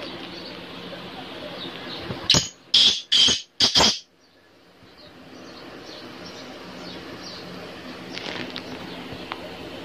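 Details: Harsh four-note call of a black francolin, known locally as kala teetar, sounding mid-clip as a rapid grating phrase, with soft ambient hiss before and after.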